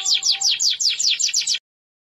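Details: Deep yellow canary singing actively in a long rolling song (ngerol): a rapid series of about eight descending whistled sweeps at roughly five per second, stopping abruptly after about 1.6 seconds, then silence.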